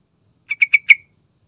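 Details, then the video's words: Sooty-headed bulbul giving an energetic lure song to draw other bulbuls into singing: four quick bubbly notes, the last louder and stretched into a short tail, in quiet surroundings. "Suara Rayuan Trucukan Gacor Santai Bongkar Isian"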